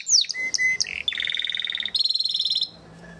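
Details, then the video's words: Short burst of Belgian canary song, galador style: a few sharp falling whistles and a held tone, then a steady buzzy roll and a higher rattling trill before it stops. "CANARIO BELGA GALADOR"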